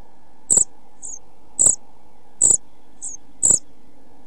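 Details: Pied flycatcher chicks in a nest box, 11-12 days old and about to fledge: sparse, very high short squeaks about once a second, each paired with a dull knock, between quiet faint notes.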